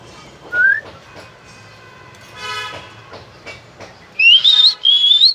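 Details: Talking common hill myna producing a mix of rough, harsh sounds, then bright warbling whistles that rise and waver in two loud bursts near the end.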